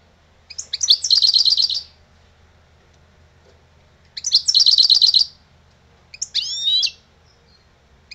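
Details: An old European goldfinch sings lebrijano style: two bright, rapid trills of repeated high notes about three seconds apart, then a short twittering, sliding phrase.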